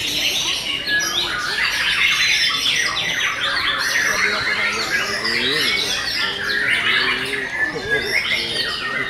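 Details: Canaries singing in the Kenari MB canary class of a bird-song competition, session 5: a dense, continuous chorus of rapid trills, twitters and buzzy rolling phrases, with murmured voices underneath.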